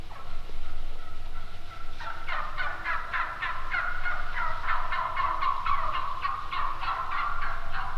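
Wild turkey gobbling: a fast, rattling run of throaty notes that starts after a quiet lead-in and carries on for several seconds over a low background rumble.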